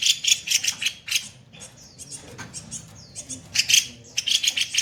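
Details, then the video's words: A kopi-kopi songbird in harsh 'tembakan kasar' style, used to train other songbirds: coarse, rapid rattles open and close the passage, with thin whistles and softer twitters in the quieter middle. "Masteran burung KOPI KOPI bahan gacor tembakan kasar"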